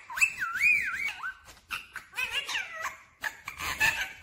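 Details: A talking pet parrot, said to say 'mummy papa', produces a wavering whistle followed by clipped, speech-like syllables and squeaky mimicry in short phrases, with faint household noise.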